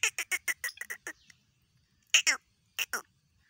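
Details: Two black francolins in a calling contest: a rapid run of about eight harsh, rasping notes, a pause, then two loud doubled grating calls answering in turn; little background noise.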